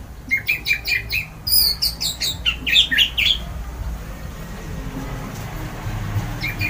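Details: Orange-headed thrush singing its loud 'ngeplong' song, said to make other birds join in: a rapid run of repeated sharp notes, then a varied burst of higher rising and falling phrases, fading to softer calls.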